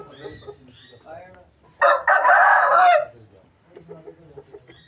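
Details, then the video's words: Aseel rooster crowing: a single loud, harsh, strained crow lasting just over a second, with softer clucking and low human voices before and after it. "Aseel murgay ki azaan | اصیل مرغا کی اذان"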